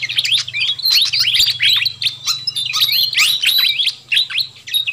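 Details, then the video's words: Sikatan kipas (pied fantail) chattering noisily in a lure recording for wild birds: quick high twittering and short whistled sweeps packed closely together, with a steady low mechanical hum beneath. "Suara Pikat Burung Sikatan Kipas RIBUT"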